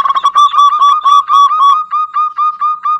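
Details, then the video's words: Local zebra dove with a loud voice, played as a lure to prompt idle doves to sing: a rapid run of short, mellow, even-pitched cooing notes, about four per second, slowing into clearer separated pulses. "HITUNGAN DETIK SEMUA JENIS PERKUTUT LANGSUNG NYAUT-PANCINGAN UNTUK PERKUTUT MALAS BUNYI"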